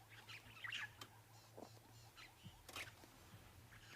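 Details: Huge flock of red-billed buffalo weavers in a shaded tree on a May 14 sunrise safari chatter all around, scratchy chirps and squeaky notes overlapping at irregular pace, with a low engine hum throughout.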